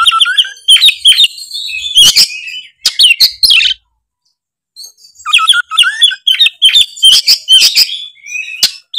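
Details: Oriental magpie-robin (kacer) singing in full, loud 'gacor ngeplong' style: rich high whistled phrases with sharp chips and rising slurs, then a pause of about a second before another dense burst of whistles and clicks.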